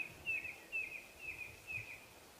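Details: A Red-crested Korhaan calls at sunrise from a distance in mating-display season, another bird nearby: four thin, high, slightly down-slurred piping notes, evenly spaced about half a second apart, over faint background hiss.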